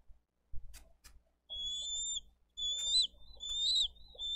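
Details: Bald eagles at a Dade County nest, filmed by live nest camera on 22 April 2023 while parents bring fish and feed eaglets; high, thin whistled calls with chittering notes, several phrases over a few seconds, faint low background hum.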